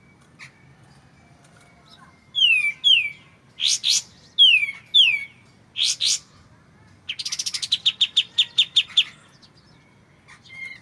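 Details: White-shouldered triller with a clear voice, a training recording for oriental magpie-robins: pairs of slurred, descending whistled notes separated by pauses, then a quick run of about ten sharp, evenly spaced notes; a faint low murmur underneath.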